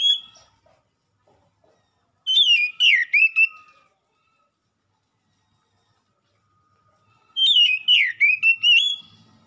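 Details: Oriental magpie-robin singing in a lure recording meant to draw a quick answer: two bursts of loud, varied whistled notes, sliding up and down, separated by several seconds of silence.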